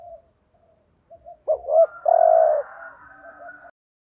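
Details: Spotted dove decoy bird cooing to provoke rival males: faint soft notes, then a clear pair of short coos and a longer mellow coo, with a thin higher trailing sound.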